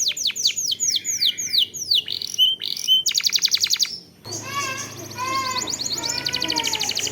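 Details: Canary song used as a lure to start other canaries singing: falling whistled sweeps and quick trills, followed by a softer section of varied warbled notes over a low steady hum.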